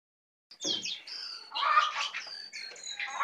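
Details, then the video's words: A tame Brown prinia singing at length with a full 'isian' song; after half a second of silence, sharp high notes start, then dense jumbled chirps and trills rise and fall in pitch. "jongkangan jinak dan gacor full isiaan"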